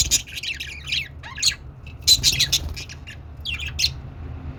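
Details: Budgies in happy song, a busy run of bright squawky chirps and short buzzy notes tumbling one after another, with a low background hum throughout.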